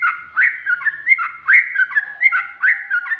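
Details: Loud, rapid 'ropel' singing of a sooty-headed bulbul with 'ngikluk' and 'ngGARUDA' phrases: full whistled notes repeatedly swooping up then dropping, in a rolling, nearly regular rhythm.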